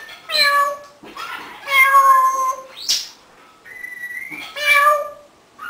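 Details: A pet African grey parrot, 18 years old, mimics a cat with repeated nasal, harmonic-rich meows, three long ones, plus a rising whistled note in between, in a quiet room.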